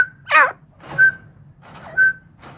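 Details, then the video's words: Grey francolins kept as pets give two clear whistled notes a second apart, preceded by a loud wavering, looping phrase, with a low background hum. "Mairay Teetar Ki Awaz"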